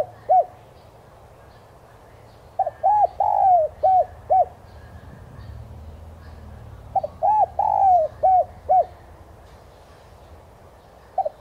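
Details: ['Spotted dove coo used as a lure so caged doves start cooing quickly. Two matching phrases about four and a half seconds apart, each a quick pickup, hollow arched coos and one long drawn note, low and steady.']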